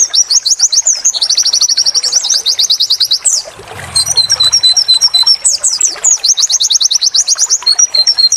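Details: White-eye training song, with rapid high trilled phrases around 4-8k repeated in dense runs, a brief pause with low rumble near the middle, then fast chattering notes and renewed trills.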